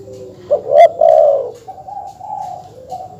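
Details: Dove calls from a training recording meant to provoke rival birds: a loud, low, mellow coo made of two swelling notes, then a softer, higher, level hum trailing off.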